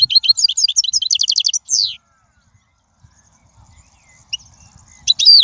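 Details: Goldfinch singing in the wild, a recording for training young birds: a quick rhythmic run of high twitters ending in a buzzy downslur, a quiet gap, then another bright phrase begins.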